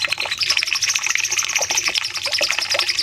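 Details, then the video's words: Short stretch of masteran training song from a cucak cungkok bulbul for caged birds, a 'nembak panjang' run. Loud, rapid, high repeated notes form an unbroken trill over quick lower chips. "Masteran Cucak Cungkok nembak panjang"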